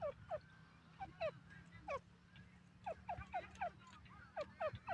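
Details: Partridge, known locally as Irani teetar, in Iran: repeated short nasal notes dropping in pitch, uttered singly and in quick pairs at uneven intervals, over a low steady hum.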